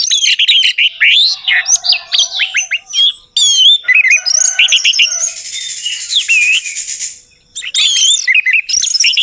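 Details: Orange-headed thrush singing, a recording meant to lure a silent bird into song: continuous energetic warbling of sharp slurred whistles and chatters, with one long thin high whistle and a raspy buzzy stretch.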